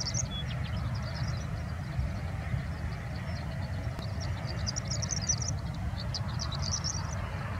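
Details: A male horned lark sings and forages in an overgrown, abandoned part of a prairie dog town in Helena Valley, among fringed sage and Russian-thistle. Its high, thin, tinkling song comes in rapid jingling bursts over a steady low wind rumble.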